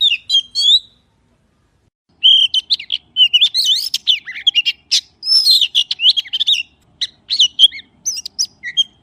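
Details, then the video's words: Magpie utters a short whistled phrase, pauses, then gives a long run of clear, bending whistles and sharp clicks that becomes sparser toward the end. "សំលេងសត្វល្វាចេកច្បាស់ល្អណាស់ (30នាទី) / Good sound of magpie (30 minutes)"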